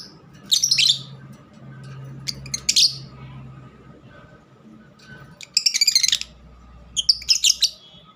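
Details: Pet lovebird kept at home: short bursts of shrill, harsh chirping in three clusters, separated by quiet gaps with a faint low hum in the background.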